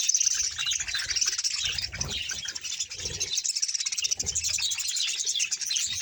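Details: Bahawalpur budgerigar colony, around a hundred pairs, producing a dense high twittering chorus with rapid chirps, plus soft low knocks and rustles in the background.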